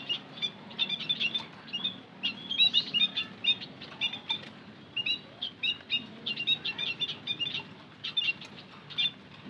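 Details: Several white-headed munias calling as a lure sound: rapid, overlapping high tweets in near-continuous chatter, occasional short pauses, faint low rumble beneath.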